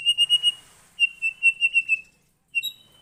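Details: Captive white-rumped shama singing in response to a lure recording: clear high whistled notes, a run of five quick even whistles, then a second rapid series of nine, a pause, and a short rising phrase.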